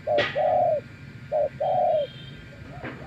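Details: A wild spotted dove calls back to a decoy with two short-then-long cooing pairs, the long notes smooth and gently descending, plus a couple of sharp clicks.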